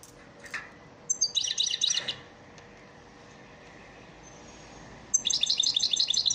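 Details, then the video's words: Caged-bird lesson song of the elmacık European goldfinch: two dense bursts of rapid, tinkling, high trilled twitters, with a three-second gap of low background hiss between them. "elmacık saka ders ötüm dersi"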